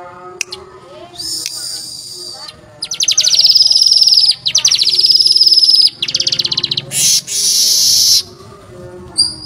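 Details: Weaver singing for songbird training: harsh, buzzy bursts of rapid pulsed notes lasting one to two seconds each, separated by short gaps, with a faint voice and low background noise.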